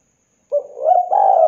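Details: Tekukur, the spotted dove, in a recording meant to start a dove singing: a brief, mellow coo that rises slightly, then holds a long steady hooting note.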